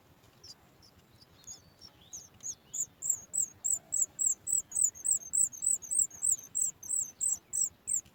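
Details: Nestling sooty chat calling for food when its mother approaches: a few scattered high squeaks, then a fast, even series of piercing high notes that swell in volume.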